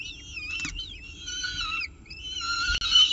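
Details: Peregrine falcon at its nest with a pigeon, CSU Orange, morning of 24 October 2018. A brief run of harsh, wavering wail notes is heard, with a dip in the middle. Then a louder, drawn-out grating call follows.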